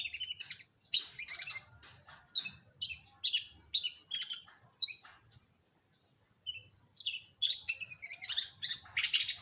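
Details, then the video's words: Long-tailed shrike singing a varied, jumbled medley of high chirps, squeaky slurred notes and scratchy chatter in short clustered phrases, with one brief silent gap midway. "Pancingan Burung Cendet"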